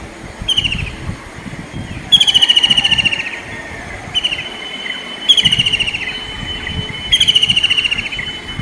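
White-throated kingfisher giving loud, shrill, rapidly pulsed whinnying rattles, each about a second long, repeated three times with shorter bursts between.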